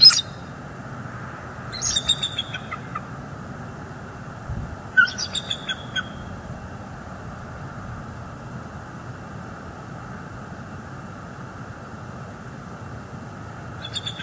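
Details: Bald eagles on a northeast Florida nest cam, 18 December 2022, as an adult female drives off juvenile eagles: three spaced bursts of high, shrill chittering notes, roughly three seconds apart, with quiet hum between and another burst at the end.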